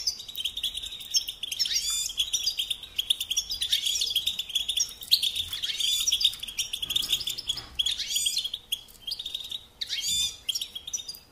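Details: European goldfinch song: sustained high twittering with repeated chirpy bursts, over a faint steady background hiss.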